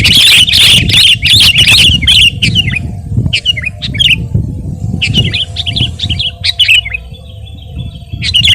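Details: Sooty-headed bulbul giving a dense burst of quick chirping notes, then short separate phrases of a few bright notes each, spaced by gaps. Faint low hum in the background.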